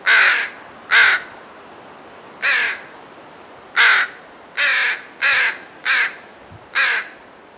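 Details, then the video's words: Crows guarding a fledgling call with loud, hoarse caws, eight rasping notes at irregular intervals of half a second to over a second. "Crows protect fledgling"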